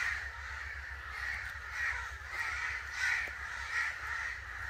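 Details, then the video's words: A flock of angry crows giving harsh overlapping caws that rise and fall roughly every second, with a low droning background. "Angry Crow Sounds"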